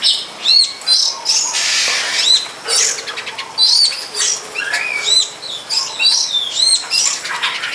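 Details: Wild long-tailed shrike behind a house near a longan orchard, where it may be breeding. It delivers a dense, varied stream of arched whistles, chattering notes and rasping bursts with little pause.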